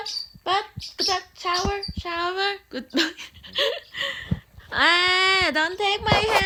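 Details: Pet umbrella cockatoo singing "good bird": a rapid run of short, harmonic, voice-like syllables, roughly two per second. It ends in a long, steady, rich note that drops slightly at its close.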